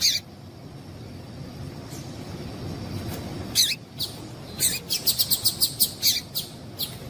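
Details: A female double-collared seedeater, heard calling to make males sing: an early sharp chirp, a quiet stretch, then a building run of quick, bright, high ticking notes in the second half.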